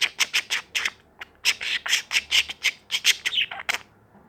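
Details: Angry bird noises: a rapid series of harsh, scratchy squawks, about three or four per second, with a short pause before the bursts resume and then stop.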